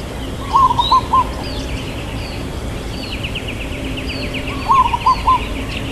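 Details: Local zebra dove singing with a long "kuk" in the style called irama lelah: two cooing phrases about four seconds apart, each a rising first note followed by two or three short, clipped coos, over steady chirping of small birds.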